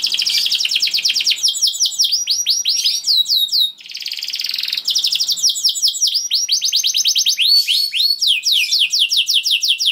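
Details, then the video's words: Canary singing long 'gacor' song as a lure to prompt other canaries to sing: rapid, loud runs of repeated downslurred high notes and fast trills, with a brief buzzy passage near midway before the rolling phrases resume. "Seketika Kenari Kondisi Apapun Akan Langsung Respon Bunyi Gacor Panjang Tanpa Nunggu Lama"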